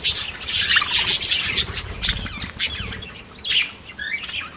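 Several parakeets chatter busily in high, scratchy squawks and chirps that overlap with no steady rhythm, along with warbling twitters and a few sharp squeaks.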